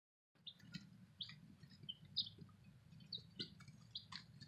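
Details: Newly arrived baby chicks peeping: scattered high, short cheeping notes roughly once a second over a steady low hum.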